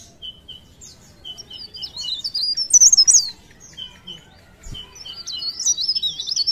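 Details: Cikrak daun, a leaf warbler from Pare Pare, in blereng-style song: a few spaced high chips opening into tumbling bursts of shrill, wavering whistles, with a quiet lull between two phrases.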